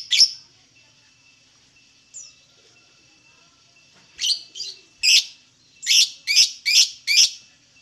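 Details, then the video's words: A lovebird sings in sparse, sharp high chirps after long quiet gaps, then a closer run of six rasping notes near the end. "LOVEBIRD SINGING"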